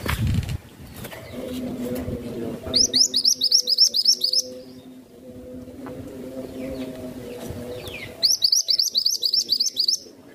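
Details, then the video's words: Masteran tutor songbird singing two fast bursts of high, sharp, repeated chirps, roughly ten notes each, separated by several seconds of low steady humming. "BURUNG MASTERAN IMUT NAN CANTIK..SUARANYA BAGUS ADEM SEJALUR"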